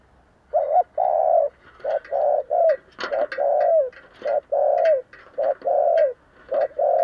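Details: A spotted dove used as a decoy, with a local-type voice, coos to provoke wild doves: low, mellow hoots of short and drawn-out notes in a steady phrase, with faint clicks in the background.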